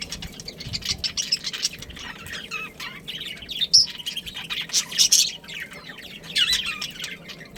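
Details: Pet budgerigar breeding pair chattering: quick bright chirps and squeaky warbles come in bursts, some louder peaks around the middle, with a steady soft background hum throughout.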